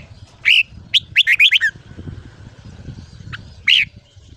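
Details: Red-whiskered bulbul singing at morning in ché style for voice training of young birds: one rapid run of five clear, chirpy notes, framed by single whistled notes before and after, over low background noise.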